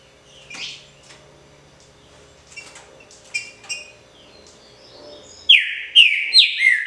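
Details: Green-winged saltator, called trinca-ferro or pixarro, singing: about five seconds of faint scattered chirps give way to loud, clear whistled phrases, three or four quick sliding notes in close succession, in a quiet setting.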